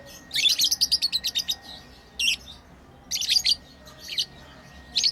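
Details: Tame lovebirds at play: a rapid string of about a dozen shrill chirps, then scattered short bursts of high, harsh chirping with brief pauses between.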